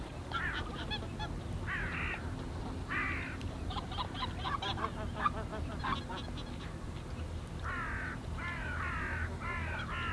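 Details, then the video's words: Greater white-fronted geese in the NSG Ahsewiesen reserve on 17 February 2019 at 14:50, recorded with a Panasonic Lumix GH5: a flock gives overlapping nasal, yelping honks in short bursts, many birds calling at once over a low rumbling background. "Greater White-fronted Geese (Anser albifrons) / Blässgänse"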